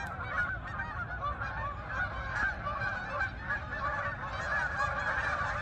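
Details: Many geese honking together as they fly to the fields over meadows in Farmington, Connecticut; a thick, unbroken wall of nasal honks overlapping from start to finish.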